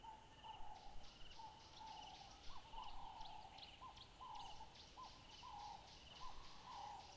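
Southern carmine bee-eaters give rolling, burry mid-pitched notes, several birds overlapping in steady chatter about twice a second, over a low rumble of wind.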